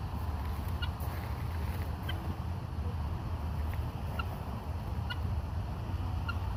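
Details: A helmeted guineafowl gives short, harsh, metallic calls repeated about once a second over a low rumble.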